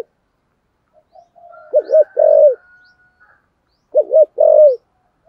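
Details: Spotted dove giving a 'thúc gù' coo in the 'giọng thổ sấm' voice style: two low phrases, each a fast two-part wobble then a drawn-out held note, about two seconds apart, with a faint high whistle underneath.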